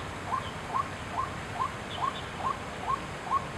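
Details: White-breasted waterhen at Chiang Kai-shek Memorial Hall, Taiwan, recorded 6 September 2012: a run of eight short, clipped mid-pitched notes, evenly spaced about every half second, over a constant background hiss.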